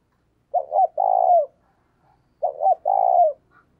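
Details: Spotted dove decoy cooing eagerly to prompt another bird to call. Two low phrases roughly two seconds apart, each a quick double note followed by a drawn-out hollow coo falling at its close; otherwise quiet.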